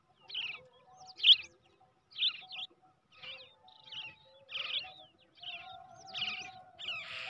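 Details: Hand-raised brown shrike chick, reared from the egg, giving harsh, scratchy chirps in short bursts roughly once a second, the loudest near the start, over a faint steady low hum.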